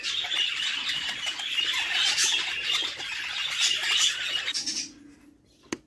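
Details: Chicks of a budgerigar in a nest box call for food from their mother, a rapid raspy high chatter that stops abruptly near the end, leaving near silence and one short click.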